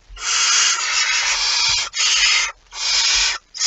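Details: At its nest with prey on 23 September 2019, a barn owl gives one long, drawn-out rasping hiss lasting well over a second, followed by two shorter breathy hisses and the start of a fourth.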